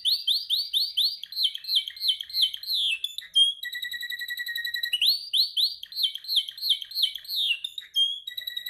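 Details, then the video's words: A male canary sings during song training: bright, high tours of repeated sweeping rising notes, then a rapid even trill, then the sweeping phrase again, with no other sounds. "Your canary sings immediately when he listens to this canary singing"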